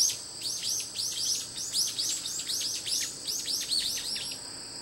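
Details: Asian brown flycatcher recorded on 28 September 2016: rapid series of thin, high, downslurred chirps, overlapping and repeated several times a second throughout, over a faint steady insect hum.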